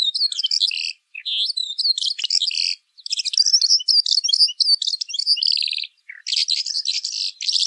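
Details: Pailing bird singing in the pekling style: a dense, rapid run of high, varied chirps, trills and buzzy notes, broken by short pauses near one, three and six seconds, with no other clear sounds.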